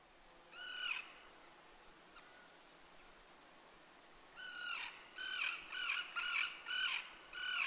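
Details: Common tern at a golf course in Joroinen, Finland; harsh, grating kee-arr calls with a downward slur, one early then a rapid series of six in quick succession, with quiet background.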